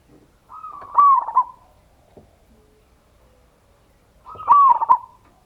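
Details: A local Indonesian zebra dove (perkutut) recording used as a lure to provoke other doves to answer gives two soft, rolling cooing phrases about three and a half seconds apart, each a low warbled burst with a brief trilled ending.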